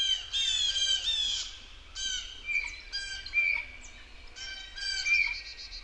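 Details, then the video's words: Blue jay singing in a forest, mixing rough, buzzy squawk bursts with short clear whistled notes in uneven phrases, while faint chirps from other birds sound in the background. "Birdsong Blue Jay sings in the forest"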